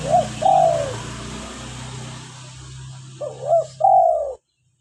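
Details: Local spotted dove, an active caller, recorded as a lure and to prompt captive doves to call: two mellow, low cooing phrases, one at the start and one near the end, each with a short lead-in note, over a steady low hum.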